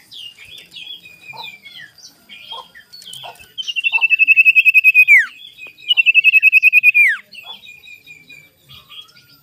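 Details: Morning sirtu lure song for stirring up rival birds. Soft high chirps and short notes lead into two bright, fast pulsed trills that hold one pitch and then drop steeply at the end.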